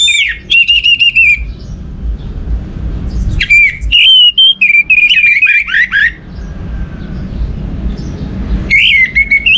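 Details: Orange-headed thrush song played as a lure to stimulate other birds to sing: clear whistled phrases around mid-high pitch, slurred and warbling, with bursts of high chattering notes and pauses between phrases.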